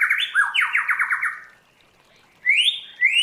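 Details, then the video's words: White-rumped shama in forest-style song for training: a looping whistle falling into a quick descending rattle of notes, a long quiet gap, then two rising clear whistles. "Luyện choè lửa hót theo giọng rừng hay"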